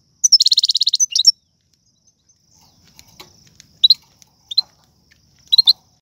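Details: Algerian goldfinch singing a prized song with rare tiwawati, galoubi and sarfati phrases: a fast, evenly pulsed high trill of about a dozen notes, then a quiet pause broken by scattered sharp, thin chirps and short twittered bursts.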